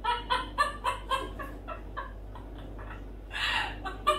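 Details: Pet parrot, a female, in morning chatter; a run of about ten short, harmonic clucking notes spaced evenly, then quieter broken notes and a breathy burst.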